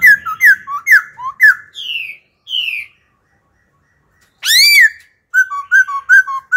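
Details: Laughingthrush, an old wild-caught bird singing wild-style phrases that change constantly to coach young birds: quick run of sliding whistles, a two-second pause, one strong arched whistle, then rapid clipped notes.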